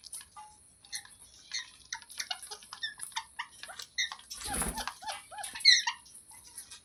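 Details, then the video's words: Pet parrot from a compilation of talking parrots, giving a busy series of short chirps and squeaky notes through the clip, with a louder harsh burst near the middle and a sharp squeal toward the end. "Parrot Sounds Videos Compilation | Mitthu Ki Awaaz"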